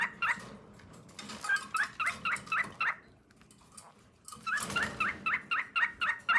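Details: Male cockatiel singing for his mate: two bursts of quick, harsh, buzzy chirped notes, about four per second, split by a silent pause of around a second.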